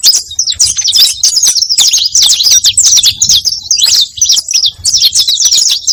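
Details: Saffron finch song meant to draw in other saffron finches, a bright, hurried stream of high chirps and trills running without a break for six seconds.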